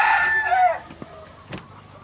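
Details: Chickens' voices ring out on a farm in Hawaii. The clip opens with the loud, drawn-out tail of a rooster crow that slides downward. Near-quiet follows, broken by two faint knocks.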